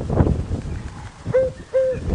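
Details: African cuckoo giving its call of two soft, low hoots about half a second apart, the second slightly longer, at sunrise in October at Djuma Game Reserve, Sabi Sand, South Africa; faint rumble and a brief voice beforehand.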